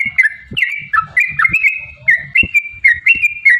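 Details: Sooty-headed bulbul song used to prompt other bulbuls to sing: warbling whistled notes that dip and rise in short linked phrases, with soft thumps and clicks in the background.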